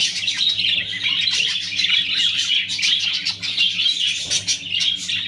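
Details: Clearwing budgerigars chatter continuously in a busy flock, a dense mix of high scratchy warbles and quick chirps with no pauses, plus a low steady hum beneath.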